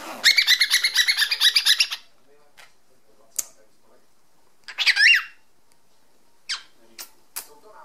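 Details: Pet male cockatiel indoors, enjoying the zipper opening and closing: two seconds of rapid buzzy chirping pulses, then quiet, then one harsh rising-and-falling squawk, with a few scattered clicks and taps afterward.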